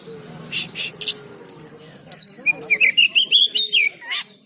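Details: Oriental magpie-robin trained at a market to build confidence: after two seconds of murmuring background, a burst of rapid whistled and chattering notes, about five per second, with sharp high rising phrases near the end.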